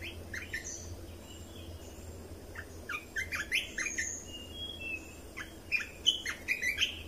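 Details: Caged red-whiskered bulbul song used to teach young birds and excite others: scattered chirps giving way to a lively run of quick, varied whistled phrases toward the end, over a low background hum.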